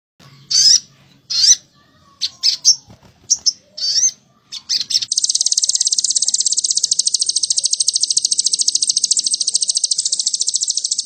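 Ashy Tailorbird giving sharp, high chipping bursts spaced about a second apart, then breaking into a long, rapid, buzzy high trill.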